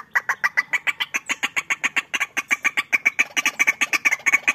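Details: White-breasted waterhen calls during a fighting duel, a fast run of loud, harsh, clipped notes repeated more than twice a second with a slightly uneven rhythm.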